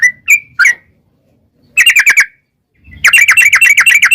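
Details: Yellow-vented bulbul lure song: three separate chirps, then a short bubbly burst, then a dense rattling chatter of rapid notes.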